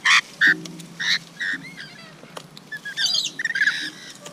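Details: Loud grating squawks from rainbow lorikeets at a feeding spot come in separate bursts, then a quick rattling cluster of shrill chatter near the end.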